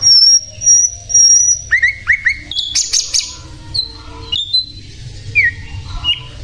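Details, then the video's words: Sikatan londo flycatcher in vigorous song: a series of high steady whistles, then paired down-slurred notes, a short buzzy rattle, and scattered clear whistles trailing off. "sikatan Londo gacor"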